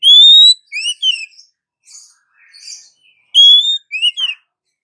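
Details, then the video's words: Oriental magpie-robin female, calling to a male, a sought-after lure: a bright rising whistle with two short swooping notes, a pause with soft faint chirps, then the same phrase repeated. "SUARA KACER BETINA MEMANGGIL KACER JANTAN"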